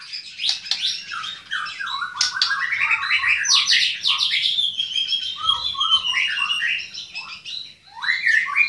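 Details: White-rumped shama in full, vigorous song: an unbroken stream of varied whistles, sweeping slurred notes and rapid chatters, mixing high sharp notes with lower fluty phrases and a long, wavering, whistled passage in the middle.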